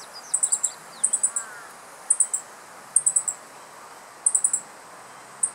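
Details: Male Meadow Bunting on a dead branch in Japanese riparian forest, mid-July 2015, calling loudly on alert toward a person after swallowing an insect: high, sharp notes in quick bursts of three or four, repeated about every second, over faint distant chirps.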